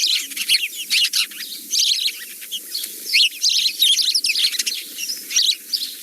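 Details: Garden sparrows in Britain in February chatter in a busy group, with overlapping bright chirps and cheeps coming in quick, uneven bursts that sound flustered and quarrelsome, like an argument.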